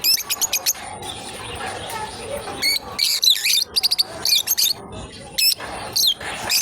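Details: Two lovebirds chirping while playing: a quick burst of short sharp notes at the start, then irregular shrill chirps, some with a sliding squeaky tone, spaced a fraction of a second to a second apart.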